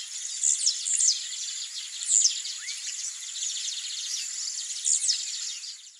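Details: A wild blue-black grassquit (Volatinia jacarina) singing in the breeding season gives short, sharp, very high 'tiziu' notes every one to three seconds over a steady hiss of insects.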